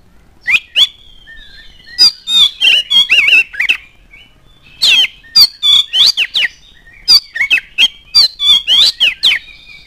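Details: Oriental magpie-robin song for drawing other birds into singing: continuous phrases of rapid chattering notes mixed with clear rising and falling whistles, in three bursts separated by short gaps.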